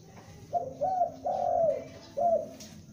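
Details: A young spotted dove, kept as a lure, gives a loud call: short soft note, a rising coo, a long sliding coo that falls away, then a final brief coo, all low and hollow over a faint hum.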